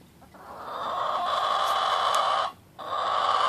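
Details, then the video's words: A Black Australorp chicken gives a long, drawn-out nasal call of nearly two seconds, likened by the owner to a death metal singer, then starts another after a brief pause, with no other sounds nearby. "Sound of a Black Australorp Chicken"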